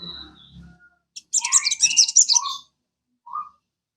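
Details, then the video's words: Caged sogon songbird, played to encourage kept birds to sing, gives a dense high twittering burst of about one and a half seconds, then a short lower whistle. Faint low rumbling comes before it. "PANCINGAN SOGON. BIAR SOGON MU IKUT CEPAT RAJIN BUNYI"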